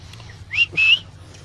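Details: Pet Alexandrine parakeet in a park producing two bright whistles, a short rising one then a longer steady one, over a quiet low background hum.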